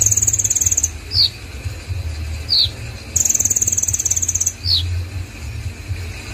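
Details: Common iora singing energetically: long, very high, buzzy rattling trills lasting over a second, alternating with short downward-slurred whistled notes, over a constant low hum.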